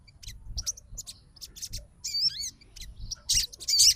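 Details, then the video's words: Sogon (Crimson Sunbird) fighter bird reacting to a rival sogon's song with sparse thin chips, one short bright twisting trill mid-way, and harsh high bursts near the end. "SOGON FIGHTER LANGSUNG RESPON DENGAR SUARA SOGON GACOR"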